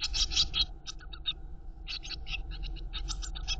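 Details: Eurasian blue tit chicks in a nest box begging as their mother feeds them: rapid clusters of shrill, hissy chirps in bursts, a short lull midway, then another burst, over a low rumbling background.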